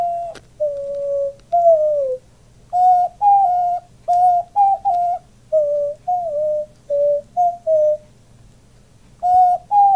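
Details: Male diamond dove kept as a pet, puffing up as he coos alongside his owner: steady sequence of gentle, pure coo notes, mostly short and level, one longer and falling, with a few faint clicks in a quiet room.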